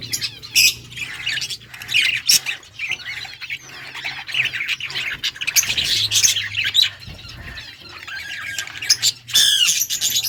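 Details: Yellow budgerigars, Australian parrots, chirping, August 6, 2024: repeated short scratchy chirps and warbles in uneven bursts, with a sharp squawk near the end, over a low hum.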